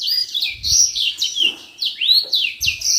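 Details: Singing common iora kept as a song model: fast strings of clear whistles and downward slurs, a few arching rising notes, with soft low thumps in the background.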